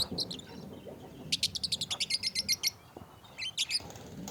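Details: Group of pet budgerigars: a rapid run of short, sharp, high chirps repeated about every tenth of a second, with a quieter pause and then a few more chirps over low background rumble.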